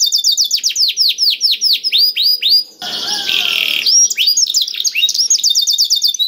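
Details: Black-throated canary singing, played to stimulate canaries into song: rapid rolling trills of sharp high notes, interrupted by a brief rasping, noisy buzz before the quick trilling resumes.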